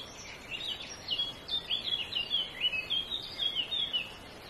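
Yellow-breasted greenfinch giving a lively run of high, twittering chirps and short trills, several notes a second, over a steady background hiss.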